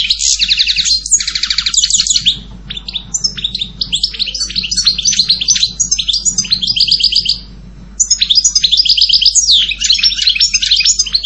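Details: European goldfinch singing in bursts: quick sparkling twitters and trilled phrases, a short pause near two seconds, a longer run, then silence around seven seconds before another energetic twittering passage.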